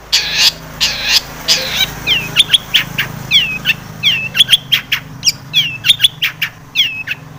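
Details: Long-tailed shrike full song of imitations, played as a lure to make shrikes sing: a few harsh rasping notes, then a long rapid series of short whistled downslurs and clicking chirps.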